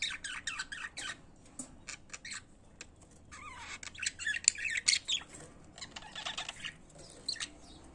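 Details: Pet budgerigars singing: a busy stream of high, scratchy chirps and squawky warbles in quick bursts, pausing briefly around the third second and then building into dense chatter again.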